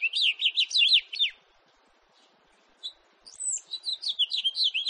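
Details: Quick jumbled warble from a house finch, 2018: a burst of sliding chirps, a long silent gap with one lone note, then another rapid tumbling phrase of high twittered notes.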